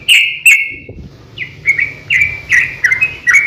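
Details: {'text': 'Fighting song of a yellow-vented bulbul, meant to lure other bulbuls into answering: two loud whistled notes, a brief gap, then a fast run of liquid chirping phrases rising and falling.'}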